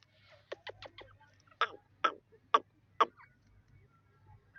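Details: Partridge calling with a run of short, harsh, clipped notes, first quick and soft, then four louder ones spaced about half a second apart, over a low steady hum.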